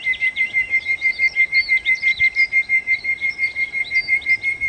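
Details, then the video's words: Nightingale (sikatan londo) delivering a steady, even series of short whistled notes on one pitch, repeated about three times a second, with fainter high twittering above. "kicau Sikata Londo( Nightingale Birds )-Kicau Burung"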